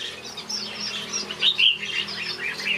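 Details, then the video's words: Several finches in a backyard aviary chirp in quick, high, sweet notes, overlapping tweets with a couple of louder sharp peaks near the middle. "Watch these finches sing a beautiful melody in my backyard"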